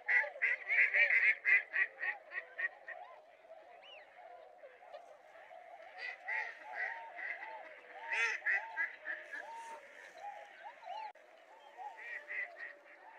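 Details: Wild mallards in Japan in January, a pair that left the flock to mate: soft, nasal quacks and low chattering calls from several ducks, with a quick run of rhythmic notes at the start.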